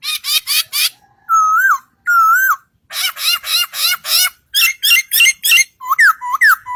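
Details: A singing bird gives loud, quick bursts of harmonic notes, short whistled rising-and-falling phrases and repeated sharp chirps in close succession, with brief pauses between groups and no other sounds.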